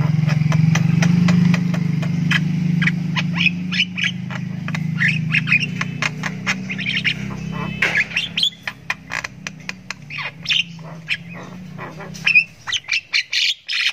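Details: A Javan myna chick that is learning to vocalise gives rapid, harsh squawking chirps, uneven and insistent, over a steady low hum.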